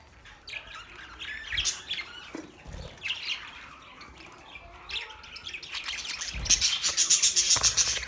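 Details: Budgerigars twitter and warble in scattered high phrases, then break into a rapid, evenly pulsed series of shrill notes, about four per second, toward the end, with wing flutters mixed in.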